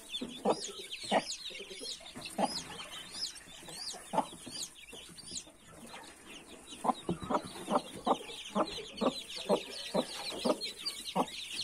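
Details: A mother hen with 31 newly hatched chicks: short, low, repeated clucks from the hen under a dense, continuous layer of high, thin peeping from the chicks.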